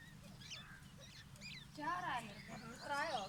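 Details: White partridge chicks fighting give thin, high chirps, then louder wavering, harmonic squeals in two bursts, over a steady low hum.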